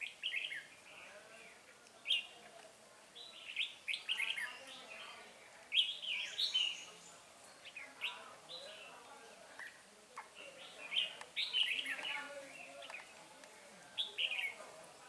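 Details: Trapping of a wild red-whiskered bulbul with a decoy, 9 March 2020; short, lively warbled phrases repeated every second or two, bright and chirpy, separated by brief pauses over a quiet background.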